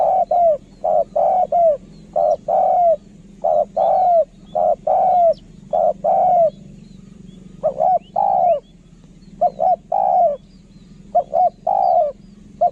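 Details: Spotted dove used as a decoy, singing a long run of soft coos, single and doubled, many slurring downward, roughly fifty per minute, over a quiet low rumble.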